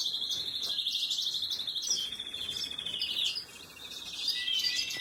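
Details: Canary chicks begging as they are fed, recorded 26 April 2022; a continuous high, thin, rapidly pulsing chatter holds steady throughout, briefly dipping and softening near the middle before rising again to a dense shrill buzz.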